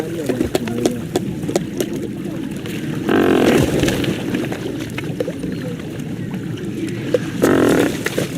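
Great white pelicans give deep, gruff grunts over a steady low murmur, with two louder, hoarse moaning calls standing out, a few seconds apart.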